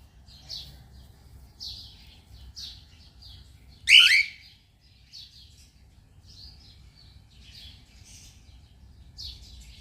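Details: A pet cockatiel enjoying being outdoors gives soft, high chirps every second or so, then one loud, harsh screech partway through, followed by more quiet chirping.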